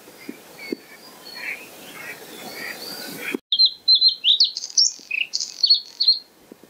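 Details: White-spotted bluethroat at Kølsen-Skals Engsø, 10 April 2020: faint distant warbling first, then a close burst of varied high chirps, trills and squeaky notes in quick succession, with a few soft clicks.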